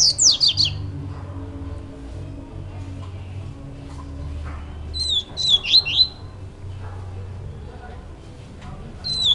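A young Double-collared Seedeater gives bursts of thin, high, downslurred chirps in quick clusters, three bouts over nine seconds, above a steady low indoor hum.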